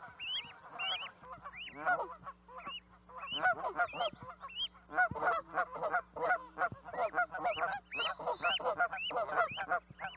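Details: Canada geese honking together, starting with a few clear, upward-bending honks that build into a dense, overlapping chorus of nasal calls from many birds, with a faint low hum underneath.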